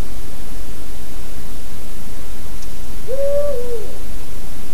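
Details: An owl in woods at night gives a single low, hollow hoot lasting nearly a second, steady then dropping at the end, over a constant rushing hiss.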